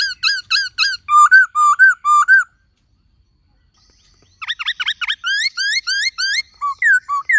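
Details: Black-throated laughingthrush song, a many-voiced singer used to stimulate other laughingthrushes: loud, rich whistled phrases of quick rising and falling notes, about two a second, broken by a silent pause midway.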